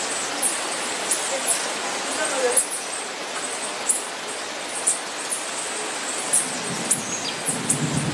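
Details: Male fork-tailed woodnymph (Thalurania furcata) perched and bathing in heavy rain at Mindo, Ecuador, giving thin, very high ticks about one or two per second over the steady hiss of rain.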